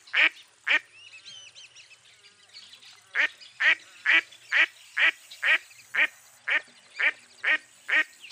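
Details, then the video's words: Loud nasal quacking from a mottled duck of eastern North America: two quacks, a brief pause with faint chatter, then a rapid, evenly spaced series of about ten rasping quacks. "Mottled Duck Call"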